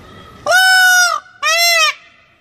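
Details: Peacock giving two loud, rich, nasal wailing calls, each about half a second long and evenly pitched, with a brief pause between them and a quiet background.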